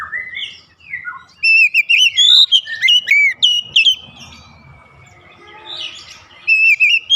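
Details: An oriental magpie-robin calling in a rhythmic song: soft opening notes, then a burst of loud, looping whistled phrases with quick up-and-down slurs. The bird pauses before resuming with more bright whistles.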